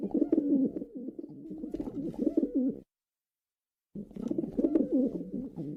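Pigeons give low, throaty cooing and burbling notes, overlapping and continuous, with a brief silent gap midway; several birds seem to call together.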